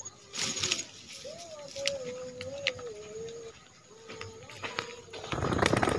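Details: Spotted dove, a trained decoy bird used to call a rival into the yard for trapping, gives a low, drawn-out wavering coo that bends up and down, then a second shorter level coo, amid rustling, handling clicks and a burst of noise at the end.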